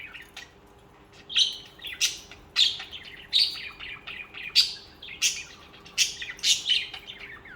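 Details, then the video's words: Budgerigars in a flock chirp and warble, a run of bright, buzzy, broadband notes repeated roughly every half second, growing louder partway through. "Most Beautiful Bugies Song | Bugies Singing and Chirping"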